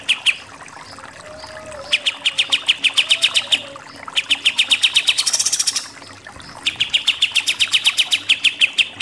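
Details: Pied triller tutor recording for songbird contests, 'nembak' style: after scattered notes, long rapid strings of sharp chips, a high buzzy flourish, then another fast run.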